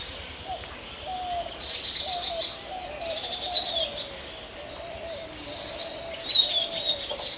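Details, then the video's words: An Oriental magpie-robin, the national bird of Bangladesh, sings short bursts of sweet, sharp whistled phrases, with low mellow coos and other bird calls behind it. "Song of Magpie Robin"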